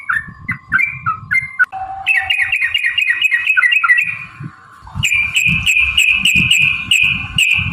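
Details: Yellow-vented bulbul in gacor 'ropel panjang' singing used to trigger fighting song: mixed bubbly phrases, then a fast even trill of repeated high chirping notes, over a constant low tone and thumping background.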